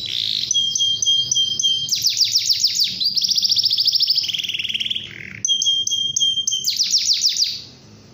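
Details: Canary in morning song used to make other canaries sing: a held high whistle, bursts of fast downward sweeps, buzzy rolls and a lower trill, the phrase pattern repeating before fading out.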